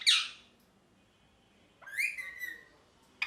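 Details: Parrot, kept as a pet and described as happy, gives a short harsh screech, then after a pause a longer rising-then-level whistled squawk with rich overtones; quiet room background.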